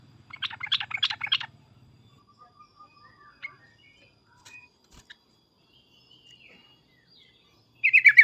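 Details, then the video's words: Yellow-vented bulbul giving agitated, loud 'cukcuk' and 'uplikuplik' calls meant to make other bulbuls answer: a quick burst of bright chattering notes, then a long near-silent pause with faint distant chirps, and a second burst at the end. "suara trucukan emosi cukcuk keras dan uplikuplik ini menjadikan agar burung trucuk gacor nyaut emosi"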